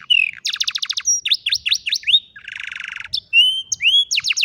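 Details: ['Old canary in the afternoon singing rapid chopped trills, a set of rising whistled sweeps, a buzzy rattling roll and bright held whistles ending in fast repeats.']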